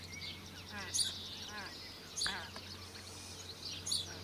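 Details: Feeding time for two 16-day-old Australasian crested grebe chicks and their parents at Lake Benmore, Mackenzie Country. Grating, rasping calls paired with piercing high peeps recur roughly every second and a half, against a faint low drone.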